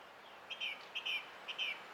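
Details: Song thrush song recorded on 20 April 2016: a clear two-part phrase, a short click followed by a slurred whistle, sung three times in a row about half a second apart against a faint outdoor hiss.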